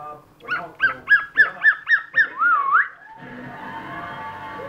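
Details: Cockatiel copying the household dog's bark: six quick, clipped yelping notes in a rapid regular burst, followed by a sliding wavering whistle-like note, then quieter room noise.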